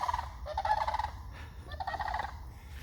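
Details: Sandhill cranes passing over a local wildlife preserve where they feed give loud, rolling, rattling bugles in three bursts, each trilled and slightly wavering, over a low wind-like rumble.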